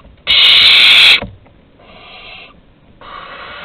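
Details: Barn owl chicks at the entrance during a prey delivery, Théding, 15 August 2020: one loud, grating hiss lasting almost a second, followed by two much softer, breathy hisses.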